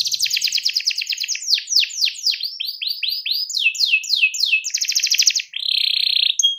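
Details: Canary singing to call a rival: rapid high trill, then a series of loud, descending swooping notes about three per second, then further rolling trills and a steady buzzy note at the end.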